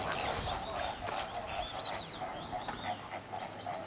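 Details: White-faced whistling ducks at WWT Slimbridge give clear, high, arching whistles, several overlapping in quick succession over a steady background hum and chatter of the flock.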